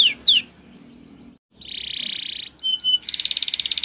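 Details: Spanish Timbrado canary singing a training song: a few falling whistles, a quiet stretch with low background hum, then a buzzy rolling trill and rapid bright pulsed trills repeated about four per second.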